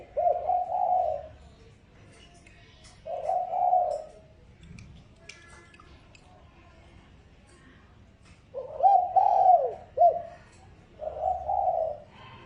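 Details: Spotted dove decoy call used to stir up wild birds. Mellow, low, throaty coos come in bursts of about a second, with gaps between them. Faint clicks and a soft indoor background sit behind the calls.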